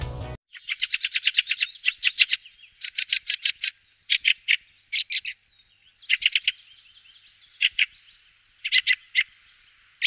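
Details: Fieldfare, with alarm calls, calls and male song noted: rapid harsh chattering bursts, repeated dry notes in quick runs separated by short pauses, steady and loud throughout.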